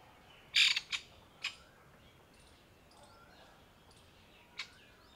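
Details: Camouflaged grey francolin mother with newborn chicks in dried summer leaves, calling in alarm; a cluster of loud, harsh notes, then quiet, and a final lone sharp note.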